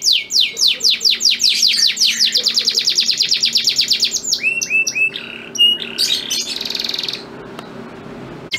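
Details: Male canary singing to a female in breeding condition; accelerating sweeps into a long fast trill, then varied short whistles and a rattle before fading.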